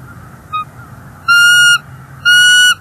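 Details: Bald eagles at a Northeast Florida nest on 30 January 2024, with an intruder eagle nearby and the nesting female calling in displeasure. A faint short note is followed by two loud, steady, whistled notes with a clean ringing tone, each about half a second.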